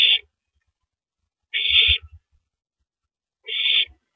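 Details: Owl pair at the nest, 9:14 PM on April 9, 2012, during a rabbit handover from male to mate; three rasping, breathy screeches, roughly two seconds apart, with soft knocking sounds beneath.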